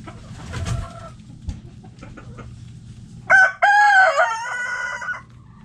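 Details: Backyard chickens relaxing in the coop; soft clucking and a faint distant crow, then a nearby rooster's loud crow opens with a sharp note and stretches into a long, level, harmonic call.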